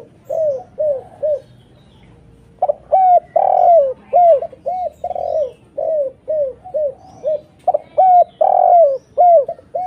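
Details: Spotted dove calling to lure other doves, an active bird with a clear voice: two phrases of repeated mellow coos mixing short hooked notes and long falling ones, with a short pause between phrases.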